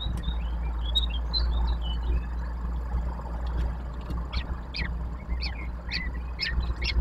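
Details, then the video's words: Three common kestrel nestlings begging while fed at their nest, Brzezińska Street, Łódź, Poland, 19 May 2024: a few scattered thin notes, then a run of sharp, shrill calls about twice a second, over constant low traffic hum. "Karmienie trojaczków, Pustułka (Falco tinnunculus)"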